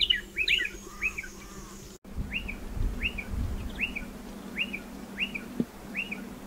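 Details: Striated pardalote at nesting burrows dug into a dry stone wall, giving short rising chirps: a cluster of higher notes at the start, then single clipped upslurred notes repeated roughly every half second after a brief cut.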